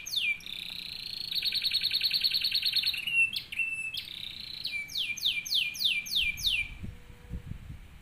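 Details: Canary song used as a model for training other canaries: rapid trills of repeated notes, a long buzzy roll, a brief sharp whistle, then a series of quick falling sweeps about four per second. Faint low rumble near the end.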